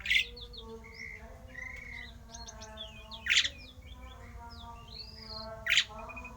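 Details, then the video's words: Javan pied starling giving a rare, odd song meant to set other starlings singing; a few loud harsh bursts spaced about three seconds apart among thin whistles and wavering notes. "jalak uren suara aneh langka di jamin Jalak uren lain panas ikut gacor!!!!"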